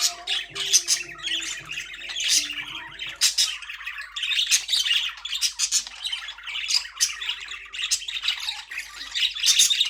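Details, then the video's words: Caged budgerigars chatter in dense, raspy squawks and chirps throughout; faint background music is audible for the first few seconds, then fades out, leaving only the birds. "Budgies parrot #chirping sound"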